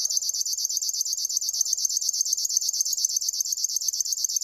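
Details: Steady pulsing buzz of a river warbler, roughly forty even ticks in four and a half seconds, high and dry like an insect, with nothing else clearly heard.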